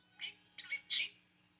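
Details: Excited pet parakeet, jumping around and flapping its tail while talking nonstop: three short, bright chattering bursts with the middle one doubled, and a quiet room behind.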